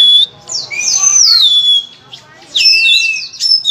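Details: Oriental magpie-robin singing a loud, full-phrased master song meant to coax other magpie-robins into song: long, sweeping whistles rising and falling, split by a short pause, then a second run of bright warbled notes.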